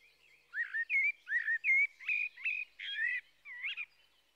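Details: Song of a blackbird made of about eight short, rich whistled notes in quick, uneven succession, some swooping down and others rising, ending in a brief twisting flourish.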